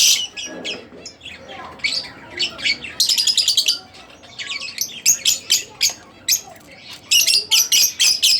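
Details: Pet Split Blue Fischer's lovebird singing, with rapid series of high sharp chirps and trills grouped in bursts separated by brief pauses, harsh and shrill throughout.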